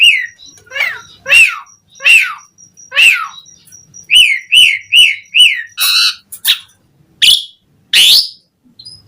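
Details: Asian pied starling uttering a series of descending slurred whistles, then quick rising whistled notes in a short row, followed by harsh rasping calls.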